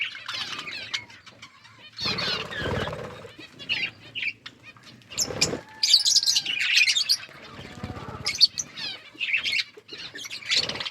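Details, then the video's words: Budgerigars chirping while they eat and play, with bursts of warbled, scratchy chatter separated by pauses and loud rustling or pecking noises between the calls. "Birds eating food budgies chirping sounds and playing"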